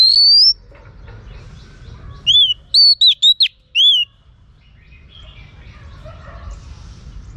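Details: A female Oriental magpie-robin calling to excite males: one rising whistle opens, then after a pause a group of five clipped, arched whistled notes, with faint background twitters trailing off.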